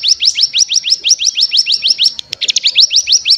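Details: High, rising whistled notes from a mountain tailorbird (cigun), used as a lure to make other birds sing, repeated about three per second in a steady run with a brief break midway.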